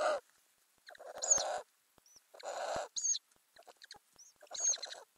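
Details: Ural owls in a nest box with growing owlets, May 2020, camera under the lid: several coarse, breathy hisses alternating with short high squeaks and soft stuttering notes.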